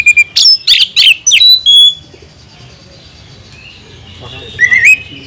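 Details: Oriental magpie-robin lure song for provoking other magpie-robins: a quick burst of loud, varied whistles and sharp slurs, a quiet stretch, then a brief rising whistled phrase.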